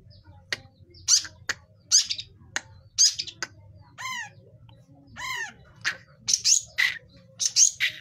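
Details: Young long-tailed shrike learning to sing, giving scattered harsh scratchy notes, sharp clicks and two clear downward-sweeping, ringing calls, all irregularly spaced over a quiet low hum.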